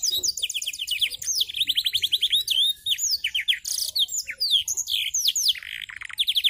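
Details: Canary learning blackthroat-style song while spreading its wings, delivering a dense unbroken stream of rapid descending whistled slurs, rolling trills and buzzy notes, very high and bright throughout.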